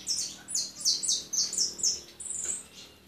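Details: European goldfinch of white plumage giving a quick series of sharp, high twittering notes, about four per second, ending in a longer buzzy trill.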